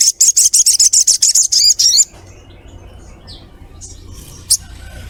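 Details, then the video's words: A female sogok ontong calling for a male gives a fast burst of about a dozen high, sharp 'cret' notes in two seconds, then falls nearly silent with only a few faint scattered chirps. "SOGOKONTONG Cret cret ngleper Pancing sogon cepat bunyi"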